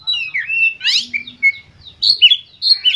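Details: White-rumped shama song to stimulate other birds, with varied whistles, a rasping trill and a thin sustained note, followed by sharp upslurred phrases.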